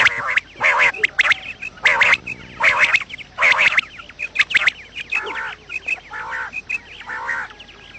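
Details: Morning quail calling meant to lure birds for trapping: a rapid run of rasping, nasal bursts, then softer, lower-pitched raspy notes, with faint chirps throughout.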